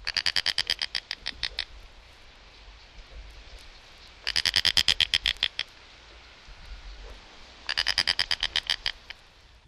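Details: Snail (Everglade) Kite from a 1961 guide to eastern and central North American bird songs, giving three dry, rattling cackles of about a dozen fast, harsh notes each, about 1.5 seconds long, spaced about four seconds apart.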